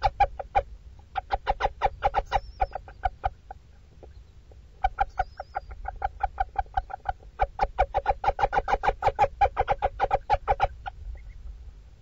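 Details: Female little owl in a Dorset nest box, watched by webcam, calling constantly to her hungry chicks while feeding them: rapid runs of short, clucking notes, about five a second, in two long bursts split by a brief pause, with a faint thin whistle.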